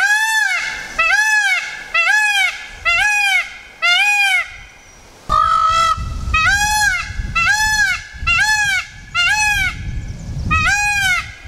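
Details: Indian peafowl (Pavo cristatus), peacocks and peahens of a wild, non-native group in Tasmania, give loud, nasal, trumpeting calls, about one per second, each a short arched wail rich in overtones, over a low rumble.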